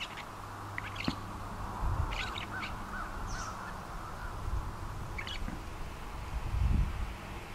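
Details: Northern Shrike perched on wires beside railway tracks at Port Coldwell, north shore of Lake Superior, Ontario, on 12 October 2011, singing a halting string of scratchy squeaks and short harsh notes over a steady low rumble.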